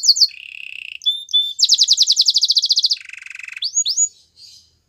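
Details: Belgian singing canary song meant to attract other canaries: high bright trills and fast pulsed rolls that shift pitch from section to section, with a short series of rising-then-falling notes near the end.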